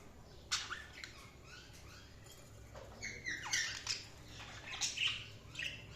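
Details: Pet budgies chirp in separate bursts of sharp, rasping high notes and bent squeaks, spaced irregularly, with quieter gaps between the louder calls.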